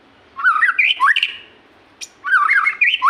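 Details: White-rumped shama, kept as a cage bird, its song used to spur other shamas to sing: quick looping whistled slurs, rising and falling, in two bursts separated by a short pause with a brief click.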